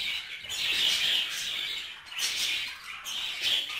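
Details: Budgerigar mating in a cage: a rasping high warble with a drawn-out whistled squeak early on, then short breaks before two more bursts of chirping chatter.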